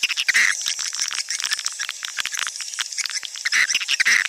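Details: Lure sound meant to attract swiftlets into nesting houses: busy crowd of high, rapid chirps and clicks, with a few louder, clearer twittering notes near the start and end.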